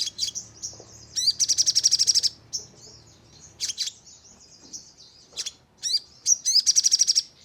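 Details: Sogon chattering used as a lure to trigger aggressive nembak singing. Two volleys of shrill, closely spaced high notes about three per second, with sharp isolated chirps between them.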